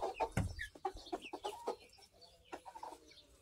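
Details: Speckled Sussex chicks hatched March 22, 2023, recorded June 10, 2023, giving a busy overlapping chorus of short peeps and soft clucking notes, with a few higher chirps and a dull thump near the start.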